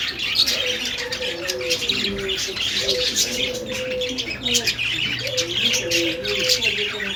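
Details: Budgies chattering and warbling: busy overlapping chirps, squeaky notes and clicks run without pause, with a faint low hum and soft wavering tones beneath the steady bird noise.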